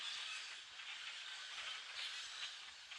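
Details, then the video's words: A common grackle flock numbering in the hundreds forages in the treetops, its massed high-pitched squeaking and creaking fused into a constant hissing roar. "Common Grackle Flock - hundreds of birds"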